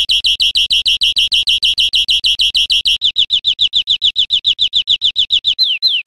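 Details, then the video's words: A European Greenfinch recorded in Spain in 2013 sings a rapid buzzy trill that shifts into quick down-slurred notes and ends with a few longer descending whistles. "Canto de Verderón 2013 / España"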